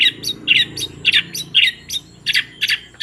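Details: Long-tailed shrike giving sparrow-like material: loose, scratchy chirps, mostly paired, roughly two a second, over a faint low background murmur.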